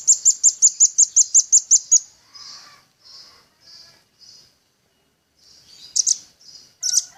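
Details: Velvet-fronted nuthatch, a lively singing male used as a training recording for songbird keepers. It gives a fast, even trill of twelve high, sharp notes in two seconds, then a few softer separate notes and louder chirps at the end.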